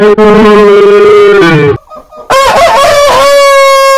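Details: Long rooster crows from a heritage-breed compilation. A deep, low-pitched crow is held steadily for nearly two seconds. After a brief hush, a higher crow follows, bending and then leveling into a long, even note.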